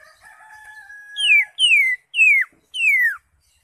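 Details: Green leafbird in captivity, song used to encourage silent caged birds to sing: a thin sustained tone followed by four loud, clear down-slurred whistles, each about half a second long.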